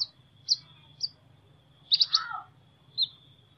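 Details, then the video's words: Clear, high sunbird chirps in an unusual voice, single notes about half a second apart, then a quick triple chirp running into a lower, slurred falling twitter, and one last chirp. "Chim Hút Mật Hót Giọng Lạ"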